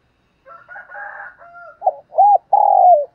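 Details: Spotted dove decoy bird calling in the morning, with faint higher buzzy sounds first, then rising arched coos and a long burred, falling coo.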